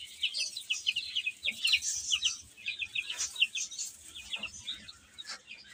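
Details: Chicks while eating and playing: bright, high, short chirps often in quick pairs, repeated throughout by several birds, with low tapping sounds of feeding in the background.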